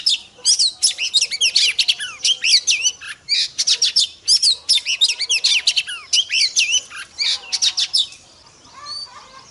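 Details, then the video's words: Female Oriental magpie-robin singing to rouse and excite males: a dense, rapid stream of high, sharply sweeping whistles and chattering notes in quick bursts, barely pausing for eight seconds, then fading into a quiet ending. "Choè than mái kích trống hay nhất"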